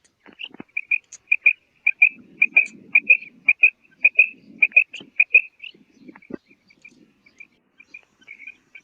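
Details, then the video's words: Rapid series of sharp paired high notes from a female common quail, over faint low murmuring background sounds. "Female quail sound| madi batair ki awaz | batair karkaree| Maadi Batair Ki Awaz| Female Common quail"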